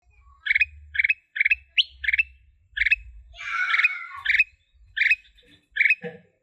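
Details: Black-capped bulbul singing in the blorok style, kept as a songbird for tutoring: short bubbly doubled phrases repeated about once a second, with a longer harsh chattering burst midway and low rumbling noise underneath.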